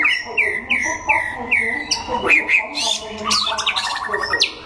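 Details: White-rumped shama (chòe lửa), Đắk Lắk, Vietnam, singing in a contest. It opens with five clear downslurred whistles about every half second, then breaks into sharp upswept notes and fast buzzy trills, with murmuring voices behind.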